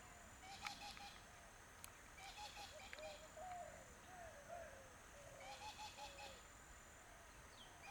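Coots give short, clipped mid-pitched notes in quick little runs, several birds overlapping. Faint hissing bursts and background water noise run underneath.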